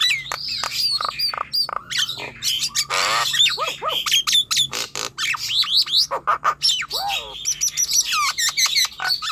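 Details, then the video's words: Nias hill myna song played to coax young or reluctant caged mynas into singing: loud varied mix of harsh squawks, rising and falling whistles and clicks, bursts packed closely together with brief gaps. "Jalak Nias Muda, Bahan & Malas Bunyi, ~ Coba Pancing dengan ini"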